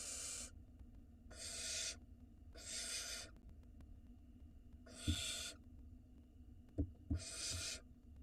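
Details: Barn owl nestlings at a nest in Israel begging as the father brings food, giving long harsh rasping hisses of about half a second each, five in eight seconds at irregular gaps, with soft knocks and bumps between.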